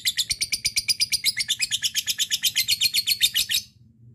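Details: Lovebird in long ngekek chatter, played as a lure that calls a rival: fast, even, high-pitched chattering pulses, roughly four per second, stopping abruptly near the end.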